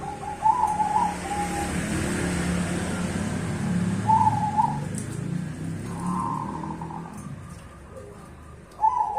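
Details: Duet of cemani and Bangkok zebra doves: brief bubbling coo phrases spaced a few seconds apart, answered back and forth, with constant low-pitched hum throughout.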